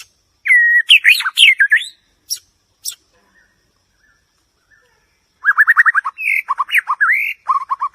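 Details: White-rumped shama song: a dense jumble of whistles and buzzy notes, a quiet gap, then a quick run of repeated notes followed by looping rising and falling whistles.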